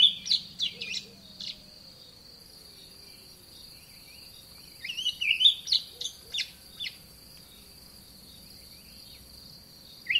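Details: Olive thrush in a garden giving scattered warbled and chirped phrases in short bursts separated by pauses, over a steady high insect-like drone.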